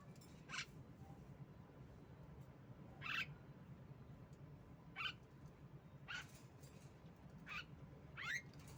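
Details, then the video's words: Female Javan myna on a lure recording meant to prompt birds to sing. Six brief, scratchy upward calls come at uneven intervals of one to two seconds. A constant low droning hum runs underneath. "pancingan jalak kebo Macet Bunyi"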